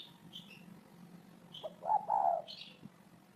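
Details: After faint high chirps, a spotted dove delivers one low cooing phrase, a quick lead-in note then a stretched, wavering coo, before more high chirps.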